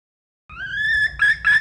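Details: Wild red junglefowl hen calling: a drawn-out, slightly rising nasal note followed by two short, harsh bursts.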